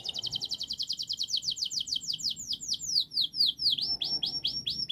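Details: Local canary singing a long, fast, dense training song meant to prompt young canaries to start singing: rapid unbroken trill of high downward-sweeping notes, the notes slowing and widening into distinct swooping syllables near the end.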